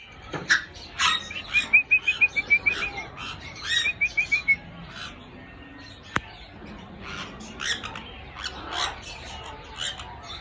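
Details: Grey parrots (Psittacus erithacus) in Congo, Africa give harsh, rasping squawks mixed with quick runs of clear, high whistled notes, about eight in a burst. Several birds seem to call at once.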